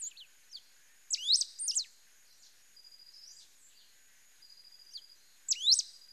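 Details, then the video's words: Song of a Pale-throated pampa-finch: high, steeply rising chirps grouped into a rapid phrase, a soft thin level whistle in between, and the same bright looping phrase returning about four seconds later. "CANTO DO RABO MOLE DA SERRA"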